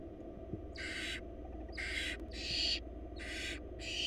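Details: A rapid run of five loud, rasping hissed screeches, about half a second each, from wild baby barn owls begging as their mother feeds them in a Florida nest box.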